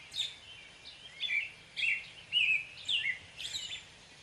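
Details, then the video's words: American robin song with several quick whistled phrases, rising and falling, delivered in a close series over about four seconds, soft steady hiss behind. "American robin bird call / song / sounds"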